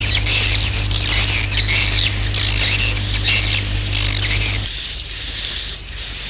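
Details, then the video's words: Roosting swiftlet calls: dense, high, buzzy twittering chirps repeated in quick succession. A steady low electrical hum runs beneath them for the first four and a half seconds, then stops. "Suara Walet Inap"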